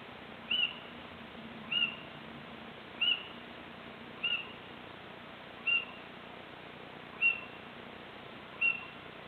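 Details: Little owl on 26 March 2014, calling repeatedly while off camera: seven brief shrill high-pitched notes spaced roughly every one and a half seconds against faint constant background noise.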